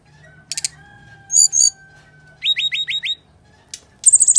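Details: Brown-chested jungle flycatcher in full fighting song, used as a lure for birds reluctant to sing: short high rattles, then a burst of steeply falling whistled notes and a quick run of bright high trills, with a faint low hum.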